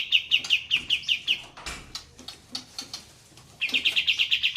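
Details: Mixed group of kapas tembak bulbuls: a fast, regular string of bright chirps opens, loose scattered notes follow, and another rapid roll ends the passage, over murmuring water, in ngeroll tembak style.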